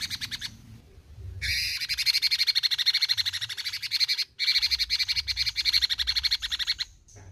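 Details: Bulbul known locally as cucak cungkok, singing actively in the besetan style: long harsh buzzy rattles of rapid even pulses, about ten a second, in two bursts split by a short gap, with a brief whistle near the start.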